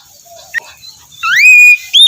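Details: Oriental magpie-robin phrase meant to prompt a lazy bird to sing: after a soft click and murmur, one clear rising whistle that levels out, followed by a short higher note.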